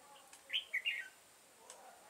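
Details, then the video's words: Short warbled phrase from a red-whiskered bulbul ('mặt quỷ') during decoy-bird trapping on 22 September 2018: three loud, quick, slurred whistled notes in under a second, then quiet with light hiss and a faint tick. "Bẫy chào mào mặt quỷ ngày 22/9/2018"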